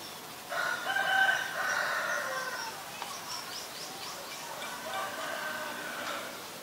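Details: Common myna recorded in Ubon Ratchathani, Thailand, on February 24, 2022 (Nikon P1000): rich, grating notes with one bright whistle, a brief pause, then softer chattering phrases and quick high chips.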